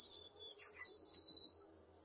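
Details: A single tit call lasting under two seconds: a piercing, very high thin whistle that glides downward into a lower sustained tone, slightly pulsing in loudness before fading out, with quiet low background noise.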